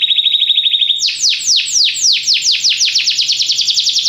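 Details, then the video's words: Belgian canary song for training: a brief rapid trill, then a series of loud falling sweeps that speed up into a quick rolling run of notes. "canário belga cantando mais espectacular! treinamento canario belga"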